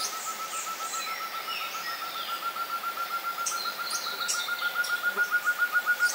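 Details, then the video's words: Such's antthrush (Chamaeza meruloides) recorded in Santa Bárbara, Minas Gerais, Brazil, gives a long, even run of low hooting notes, three or four a second, swelling steadily louder, while other birds chirp higher in the background. "Tovaca Cantadora (Chamaeza meruloides)"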